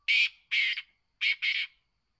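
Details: Harsh grating call of a kept black francolin (kala teetar): two pairs of loud rasping notes about a second apart, each pair tightly joined, in an otherwise silent setting.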